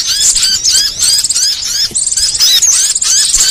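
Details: Varied small-songbird song used to train cage birds: busy high chatter of quick rising and falling whistled notes, with a short sharp trill near the middle, all layered continuously.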